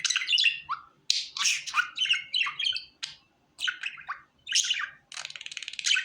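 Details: Happy caged budgie chattering with quick squawky chirps and downward-sliding whistles in short phrases, ending in a buzzy rattling trill, with a soft hum in the room.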